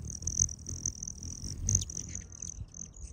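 A broad-tailed hummingbird gives a thin, very high, steady buzzing trill that keeps running with small breaks, over a low rumble of background noise.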